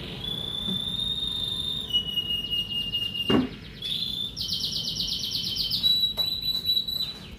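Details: Kenari merlok canary greeting the morning with long clear whistles at two pitches, then a dense buzzy trill and a level whistle, with a brief sharp knock partway through.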